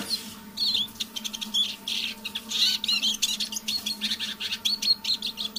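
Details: A captive decoy Eurasian siskin warming up in the evening, singing softly in rapid high twittering phrases with thin whistled notes in rhythmic bursts and a steady low hum.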